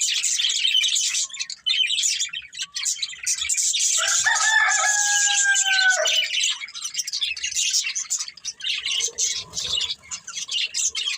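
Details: Budgerigar breeding pair chirping in a constant high warble, joined midway by a long level lower call that drops at its end.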